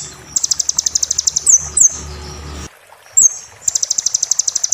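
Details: Kolibri ninja song for training a bird while moulting, in the roll tembak style: two bursts of rapid, evenly repeated high sharp notes, with a few slurred whistles and a quiet, hissy pause between them.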